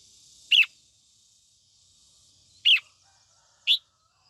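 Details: Female red-whiskered bulbul singing to stir young males into excitement: three short, bright chirped notes with downward tails, spaced irregularly over four seconds against a quiet background.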